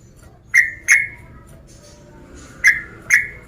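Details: Sooty-headed bulbul male calling a rival to provoke it: two pairs of crisp chirps, each note snapping on and fading slightly downward, the pairs about two seconds apart over faint background hum.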